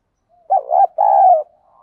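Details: Single phrase from a spotted dove's fight-provoking 'giọng đồng' call, used for luring wild doves with a decoy: a brief wavering coo followed by a longer, even, mellow hoot.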